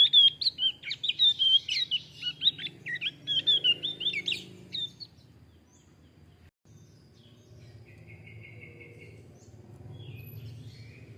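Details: Male Javan grey-throated white-eye singing a fast, chattering run of high scratchy notes for about five seconds, then a short, softer trill after a pause, with a low hum underneath.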